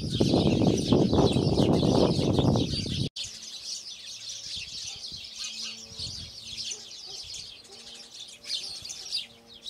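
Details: Spanish sparrows on Lanzarote, Spain, in December 2017, chirp in a busy, overlapping chorus of rapid, high chirps, several a second. Loud low rumbling noise covers the opening few seconds.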